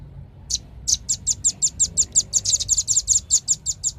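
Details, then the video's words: Velvet-fronted nuthatch singing: a steady run of about twenty sharp, high chips delivered roughly six per second after a brief silent start, with only faint low background hum. "SUARA BURUNG RAMBATAN PARUH MERAH"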